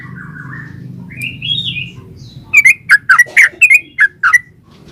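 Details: Yellow-vented bulbul in energetic rolling 'gacor ropel' song, used as a lure to draw replies from other bulbuls: a soft warbling phrase, then a quick run of about eight loud, bubbly chirps over a low hum.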